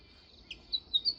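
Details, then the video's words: Sparrow giving four quick, high chirps in just over a second, over a steady high insect-like hum. "गप्पाड़ी चिमणी"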